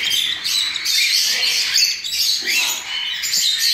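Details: Hand-fed cockatiel chicks, recently out of the nest, fed three times a day at this age. They beg with a dense, harsh, continuous rasping chorus, high and hissy, swelling and dipping in loudness.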